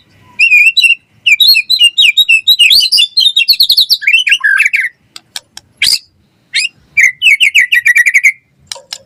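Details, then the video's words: Gacor song of a white-rumped shama, used to lure and tutor other shamas: busy bursts of quick chirps and twisting whistled phrases, broken by short pauses, then a rapid trill of repeated notes near the end. "Suara Murai Batu Gacor cepat RESPON NYAUT buat Pancingan Masteran Burung Murai Biar Gacor Full Isian"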